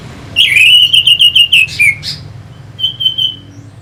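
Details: Orange-headed thrush song meant to provoke fighter birds: a fast run of about ten loud, sharp, metallic notes at an even pitch, a few buzzy notes, then a quieter short repeated series.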